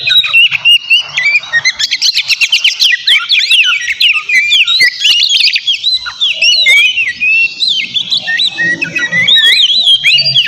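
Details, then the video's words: Noisy White-rumped shama song played to trigger a rival; long run of quick whistled trills, sharp clicks and wavering slurs, steady and fast for over ten seconds. "Terapi suara KACER GACOR Ribut buat PANCINGAN KACER Lawan Langsung NYAUT"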